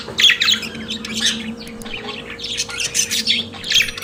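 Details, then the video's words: Pet budgerigars singing: rapid chirps, squawks and warbling notes in short bursts, with a steady low hum underneath. "Periquito Australiano de Estimação Cantando Som de Pássaros de Periquitos Naturais"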